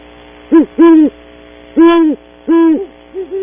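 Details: Two great horned owls at a cavity at Audubon Starr Ranch, California, early morning, giving strong low hoots, a short note then longer drawn-out ones, ending with two softer, higher hoots.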